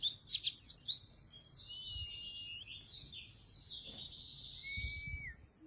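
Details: Oriental white-eye song for luring and tutoring other white-eyes that seldom sing: about a second of loud, sharp, very high chirps, then quieter continuous high warbling with wavering thin notes and a drawn-out whistle near the end.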